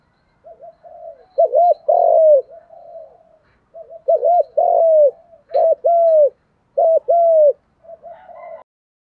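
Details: Male and female spotted doves give contest-style cooing meant to stir trained birds. Low soft coos lead into four loud phrases of a clipped double note and a sustained mellow coo, with quieter coos between them.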